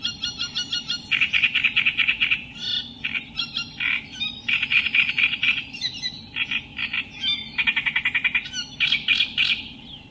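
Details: Continuous reed warbler song of rasping, churring phrases. Each is a quick run of repeated harsh notes broken by short pauses. The phrases change rhythm and pitch throughout, with a steady low background hum.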